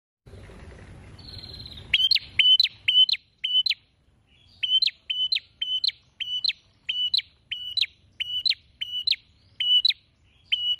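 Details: Prinia singing vigorously, beak opened wide: sharp, clipped chirps with a metallic click, repeated about twice per second in a steady run after a short burst of low rumbling noise at the start.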